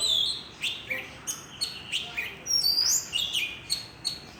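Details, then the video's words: Birds chirping merrily to welcome a new morning: a rapid string of sharp, high tweets and short rising and falling whistles, roughly three or four notes per second, clear against a quiet background. "Chim hót líu lo chào mừng ngày mới"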